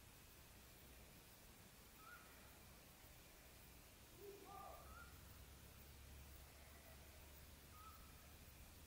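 Eurasian scops owl giving soft, single whistled notes about every three seconds, faint over a steady low rumble and background hiss.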